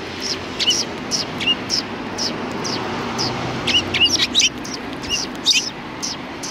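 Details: A group of sparrows at a cultural hall entrance on 7 February 2020, greeting arrivals: bright, high chirps from several birds, scattered at first, then bunching into quick overlapping bursts.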